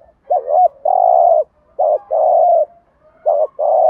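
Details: Spotted dove giving the 'gù thúc' urging coo meant to attract wild doves: three close phrases, each a looping short note leading into a long, full, level coo.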